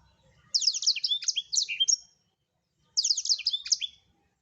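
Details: Blackthroat singing busily, recorded as a tutor song for training songbirds: two high, rapid phrases of sharp downslurred notes run together, the first about one and a half seconds long, then a pause and a shorter matching phrase, with a quiet background.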